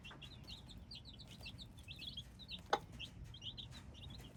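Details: A brood of hybrid chicks chirping: high, piercing, slightly falling peeps in busy overlapping groups, one loud click near the middle, soft hum underneath.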